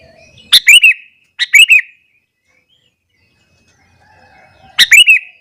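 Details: Morning song of a sooty-headed bulbul, sung energetically to rouse other bulbuls: three short, bright, liquid phrases of quick chirping notes, separated by pauses of about a second, then a longer silence.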